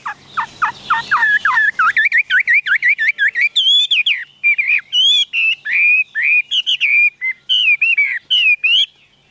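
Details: Caged Chinese hwamei delivering an extended, energetic song of repeated wavering whistles and sharp chirps, with short bright phrases that climb and dip in pitch, almost without pause.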